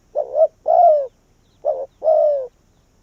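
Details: Decoy spotted dove luring wild doves, two quick phrases: a short uneven note then a drawn-out descending coo, repeated after a brief gap.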